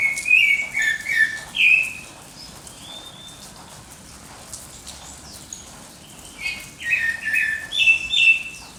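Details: Dawn birdsong with clusters of clear whistled notes at the start and again near the end, some dipping and rising, over soft high chirping from more distant birds and a steady faint hiss.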